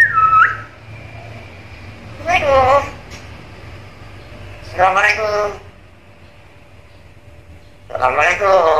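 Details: Captive talking black-capped lory gives a brief clear whistle, then three raspy, speech-like warbling bursts about three seconds apart, with quiet indoor hum between.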